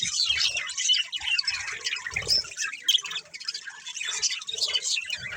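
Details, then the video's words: Several budgies at play keep up a lively chorus of squawks, buzzy chirps and short whistled notes, rising and falling in loudness over several seconds of nonstop chatter. "Cute Budgies Chirping Sounds"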